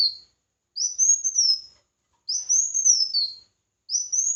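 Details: Red-whiskered bulbul singing competitively, giving sweet whistled phrases that rise and then fall, repeated roughly every one and a half seconds with clean silence between them.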